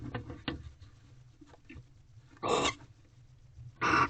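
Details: Barn owls at a nest box after dark on 18 February 2023, second night of mating, with a mouse brought in; soft scratchy ticks and shuffling, then two loud rasping hisses about a second apart near the end.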